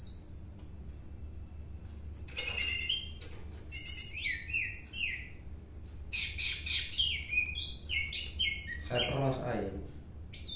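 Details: Greater green leafbird in full song during training for a singing competition: rapid varied chirps and twittering phrases, with a persistent high-pitched whine and brief human voices near the end.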